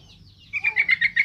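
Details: Yellow-vented bulbul singing vigorously, meant to provoke other bulbuls and get young birds to answer and sing: a rapid bubbling phrase of about six pulsed, warbled notes after a thin opening whistle.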